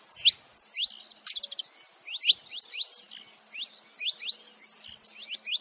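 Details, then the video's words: Saffron finches, a male and a female together, chattering with quick high descending chirps in irregular clusters throughout, with a brief buzzy burst near the start. "canário da terra macho e fêmea junto fazendo barulho"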